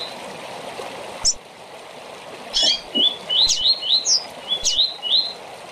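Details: Short song of a rusty-collared seedeater for tournament training: a run of bright upslurred whistles mixed with sharp high chips, steady hiss underneath.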